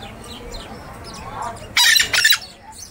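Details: Scarlet-fronted parakeet (Psittacara wagleri) bursting out with a pair of strident, raspy squawks after a stretch of low ambient noise.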